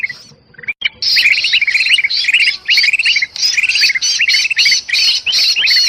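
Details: Agitated bulbul calls, described as a noisy, trapped-sounding bird from Sumatran forest and used as a lure. After a short quiet start, rapid buzzy chirps with hooked notes repeat densely, about nearly three per second, over harsh hissing bursts.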